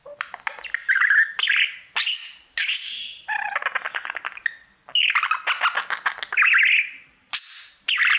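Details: Pet male budgie singing to his mirror, a busy run of chirps, buzzy rattles and squeaks in short varied phrases with brief gaps between them.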